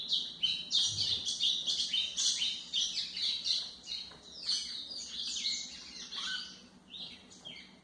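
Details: Song of a white-throated seedeater, played for tutoring young birds: a long stream of busy, high chattering and whistled notes that fades slightly toward the end, with a faint low hum in the background.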